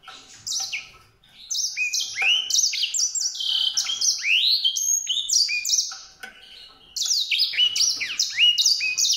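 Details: A white-rumped seedeater delivers a fast, continuous, high-pitched warble of bright chirped and slurred notes, with a brief lull before another lively burst.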